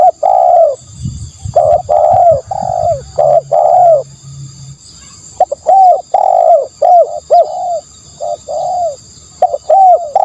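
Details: Spotted dove delivering rapid strings of rich, slightly falling coos in two long bursts. A low rumbling hum is heard early on, and a short quiet gap falls midway.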